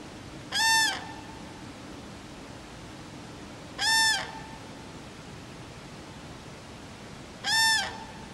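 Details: Cranes at Friskalanlahti bay, Finland: three loud, rich trumpeting calls, each about a third of a second long, coming roughly every three and a half seconds against a quiet, faintly hissing background.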